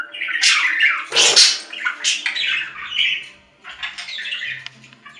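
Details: Budgerigar calls: lively scratchy chattering with a sharp, loud squawk near the start, then quieter warbled notes and clicks, over a low background hum.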